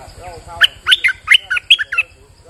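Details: Bulbul, a merbah lekir used as a lure bird, singing on a rainy day: a loud burst of six or seven sharp, bubbly warbled notes in quick succession, with a person's voice faintly underneath.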